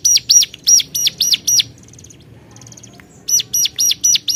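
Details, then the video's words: Hill prinia calling against rivals: crisp high notes shaped like arches, six in a quick run, a gap with soft thin rattles, then six more at the same brisk four-per-second rhythm. "Cuap cuap cuuapp, Burung Cigun Gacor Memanggil Lawan"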